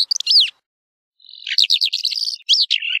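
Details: Calandra lark with a brief arched whistle after quick clicks, a second of silence, then a jumbled, fast sequence of scratchy chirps and warbled slurs.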